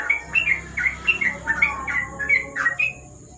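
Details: Yellow-vented bulbul (trucuk) singing in the rapid ropel style at night under a lamp: a quick run of short, bright chirped notes, about three per second, over a steady high electrical whine.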